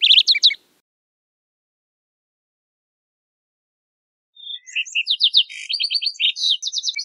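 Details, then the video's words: Singing lark sparrow in nature: a short trilled burst, a long pause, then a busy jumble of high chirps, buzzy notes and quick trills continuing to the end. "Birds Singing - Lark Sparrow"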